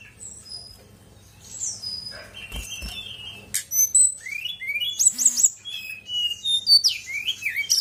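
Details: Song of a female fulvous-chested jungle flycatcher, starting quietly and then building into rapid varied whistles, upslurred chirps and a fast rattling trill. A couple of soft thumps come early, over a faint low hum.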